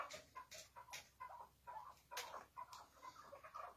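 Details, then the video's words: Chukar partridge with its hıngırma calling: a steady series of short clucking chuck notes, roughly two to three per second, broken by sharp clicks. "Böyle Keklik Sesi Hıngırması Görülmemiştir. Maşallah Süper Keklik Sesi"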